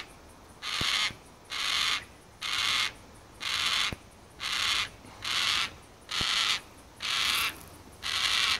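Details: Carnaby's black-cockatoo (Calyptorhynchus latirostris) calling: nine harsh, rasping wails, each drawn out over half a second and repeated steadily, with a few faint clicks between them.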